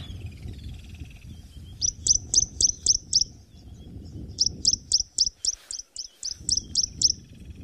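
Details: Tawny-flanked prinia at a waterhole in a private game reserve on a chilly January sunrise gives quick, high, hiccupping notes in two bursts of about six, roughly four per second, over a low rumble.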